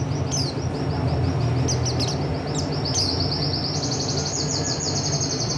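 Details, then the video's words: Song of a buxtoni oriental white-eye: thin, very high notes sliding down, given in short bursts, then a long rapid high trill of evenly spaced notes, with a constant low humming background. "Pleci buxtoni materinya enak banget"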